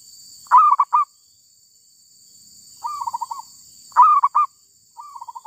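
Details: Wild female zebra dove, caught while trapping, gives loud cooing phrases of clipped staccato notes, twice, each answered by a softer, rapid bubbling run of short notes. Faint steady high hiss runs throughout.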